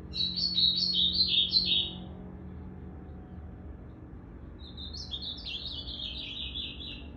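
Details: Two separated phrases of quick, sweet warbling from a blue-black grosbeak, dated 8 September 2020 with its tail still evening out; the first louder, the second softer and trailing downward.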